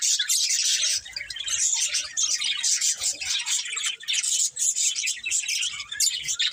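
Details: Budgies singing and eating, a continuous busy high twitter of overlapping chirps and warbles throughout, faint low knocks underneath.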